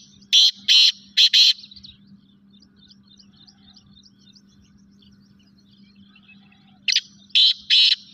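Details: Black francolin (Francolinus francolinus), call.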